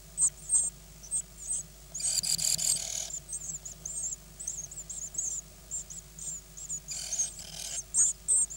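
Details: Hungry great tit nestlings in a nine-chick brood, recorded 24 May 2010 while being fed, give faint high twittering begging notes, broken by two bursts of harsh hissing noise.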